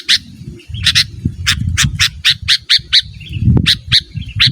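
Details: Sooty-headed bulbul used as a lure and training call: a steady run of scratchy chips about every quarter second, set against a persistent low droning noise.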